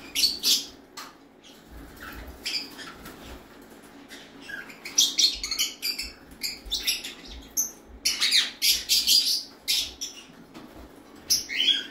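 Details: A pair of violet Indian ringneck parakeets give harsh, high squawks and chattering bursts in quick irregular succession.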